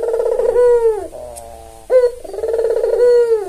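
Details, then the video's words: White albino Barbary dove with red eyes, tame, used as a lure and master bird for lazy doves: two drawn-out, rolling coos, each opening with a sharp accented note then a long purring tone sliding downward, clear and close. "Pancingan suara burung puter paling populer"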